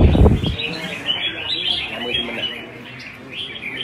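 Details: Red-whiskered bulbul delivering a competition-style song, Vietnam: a heavy thud opens, then a steady stream of sweet, chattering whistles with quick up-and-down inflections runs on over soft background music.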